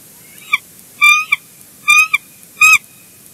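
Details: Wild bald eagle pair at their nest at Big Bear Lake, 3 February 2022, getting chatty as the female arrives for an incubation switch, captured by a live nest cam: three bursts of high, harmonic, squealing notes, each ending in a short sharp blip.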